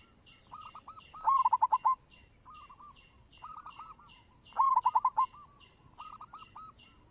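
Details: Local zebra dove lure song with two loud, fast bursts of clipped coo notes, softer coo phrases between them, and a high, repeated chirping from another bird throughout.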